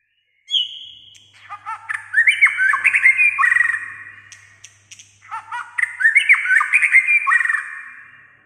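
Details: White-rumped shama said to sing almost all day in many voices; two loud bursts of rich, varied whistled and warbled phrases, rising and falling, the second starting about five seconds after the first, with a short pause between them.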